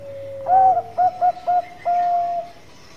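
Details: Lively Bangkok-strain zebra dove (perkutut): a slurred swelling coo, three short rounded coos in quick succession, then a long, flat, sustained whistled note, with a faint low hum behind.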